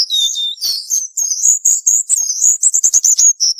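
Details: Cuban bullfinch singing a dense 'tembakan rapat' tutoring song: high, rapid chirps and slurred whistles, quickening into a fast stutter of clipped notes near the end.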